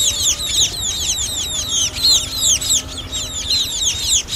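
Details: Young munias calling, a recording meant as a lure for net trapping: a dense, continuous chorus of high, sharp, downward-slurred chirps, many birds overlapping without pause, with a faint steady hum beneath.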